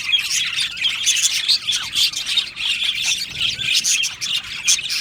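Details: Flock of budgies in an aviary chirps and warbles without pause, a steady overlapping mix of bright tweets, scratchy notes and occasional short squawks.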